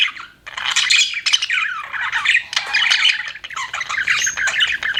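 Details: Pet budgies chirping together, a dense, continuous chatter of squawky, warbling notes and quick chirps, rising and falling with only brief pauses.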